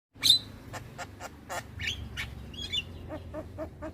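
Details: Young black-winged myna singing nonstop while bobbing its head: a loud opening squeak, then a run of short clicking notes and a few buzzy, whistled phrases over a low background hum.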